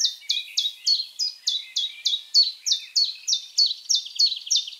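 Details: Common Chiffchaff song: a continuous run of high, clipped downslurred notes at an even tempo, with a faint lower twitter underneath.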